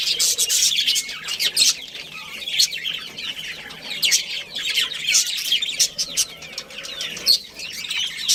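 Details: Budgerigars in a colony with a breeding pair, chirping steadily: dense, buzzy, scratchy chatter and squeaky notes overlapping without pause, several birds calling at once.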